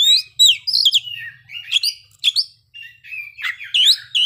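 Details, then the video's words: Oriental magpie-robin in full song, showing off its isian (filler repertoire): a dense, fast stream of varied high whistles, slurred upsweeps and sharp chirps with only brief gaps, over a faint low hum. "kacer ngeplay bongkar isian"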